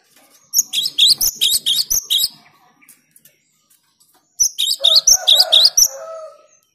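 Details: Cinereous tit (gelatik batu) singing clearly: two bursts of rapid, sharp, high whistled notes in quick repeated phrases, separated by about two seconds of silence.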